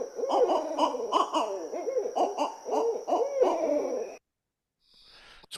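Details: Barred Owls, possibly a family talking to each other, in a raucous chorus of wavering hoots and cackles. Several voices overlap for about four seconds over a thin, steady high whine.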